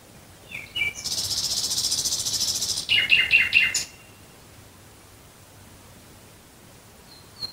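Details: Near Dresden at night, a nightingale gives a rattling rapid trill followed by a few rhythmic pulsed notes, then falls quiet; only a faint distant note at the end.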